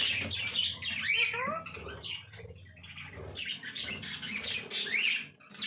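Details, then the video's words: Talking parrot producing a dense jumble of squawky, chattering sounds with raspy mid-to-high tones and a few rising whistled slurs, continuous throughout. "Parrot Talk Everything"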